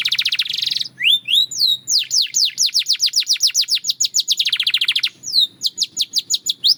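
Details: A Belgian canary sings a buzzy opening trill, then a rapid rhythmic string of sharp descending whistled notes, a rolling section and more spaced slurred phrases, all high-pitched and loud.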